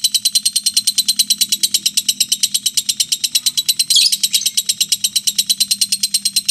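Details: Long unbroken ngekek from a mentil lovebird: a piercing high chatter of rapid regular pulses, one brief louder burst around four seconds, over a soft low hum.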